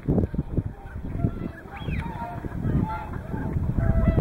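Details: Whooper swans among Tundra swans at Hyoko, Niigata, across a day from morning to evening; several distinct bugling honks, some sliding upward, sound over a crowd of softer calls, with heavy low rumbling noise.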